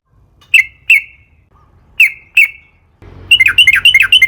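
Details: Sooty-headed bulbul song serving as a lure to make other bulbuls sing: two pairs of spaced, ringing chirps, then an abrupt quick series of bouncing, descending notes.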